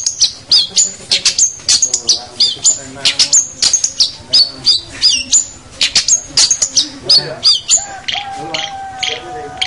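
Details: Training song of a long-tailed shrike for young birds, a dense stream of high chips and short whistles, ending with a thin drawn-out whistled tone.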